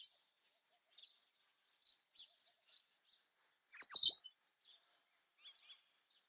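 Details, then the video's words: Indian robin giving soft, high chirping notes scattered through the clip, with one louder, sharper burst of twittering near the middle. "Indian Robin Song / Indian Robin Sounds / Indian Robin Call / Indian robin Vocals - Voice - Chirping"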